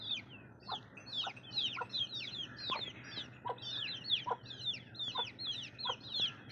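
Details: Baby chicks chirping in a dense chorus of high, downward-sweeping peeps, several birds overlapping at about two to three notes per second, with a faint low hum underneath.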